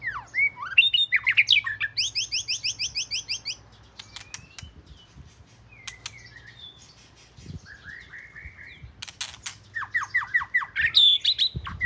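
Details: Binla, the southern Thai name for the Oriental magpie-robin, first bird of the house: bursts of fast, scratchy and whistled notes with a rapid buzzy trill, a quieter middle stretch, then another varied burst.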